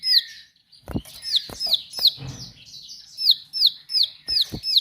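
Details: Bar-winged prinia singing strongly, sharp high downslurred notes repeated in quick series, roughly three per second, broken by a short gap with a low rustling or thump, then resuming in an even run; intermittent clicking sounds.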